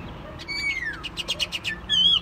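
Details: Chinese hwamei in a cage producing a long falling whistle, a burst of rapid chattering notes, and a final wavering high whistle.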